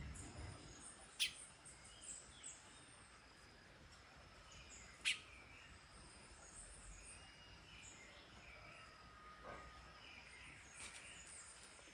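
A female flame-rumped tanager gives two sharp, high chip notes a few seconds apart, with faint chirps from other birds over steady background hiss.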